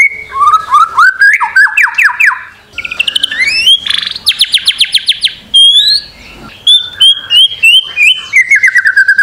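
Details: White-rumped shama song used as a master recording to encourage other birds to sing: clear whistles, then rapid repeated slurred notes climbing in pitch, a buzzy trill, and a falling run of fluty phrases.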